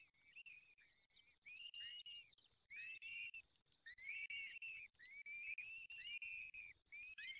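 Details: Peregrine falcon nest, Barycz Valley, Poland, during the fifth feeding at 19:28 on 23 April 2020: continuous stream of loud, harsh whistled wails, roughly six in seven seconds, each with stacked overtones.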